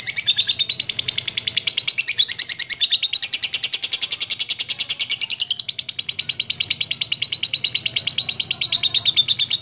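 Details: Lovebird in long ngekek, gacor and teler: sustained rapid, rattling high chatter, more than three notes per second, continuing without pause with slight shifts in pitch.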